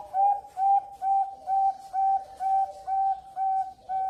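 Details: Young Bangkok-type zebra dove, a prospective contest champion, at a bird farm in Kebumen, Central Java, Indonesia: a steady run of nine clear, whistled coo notes, evenly spaced about twice per second, each flat and level in pitch, quiet background.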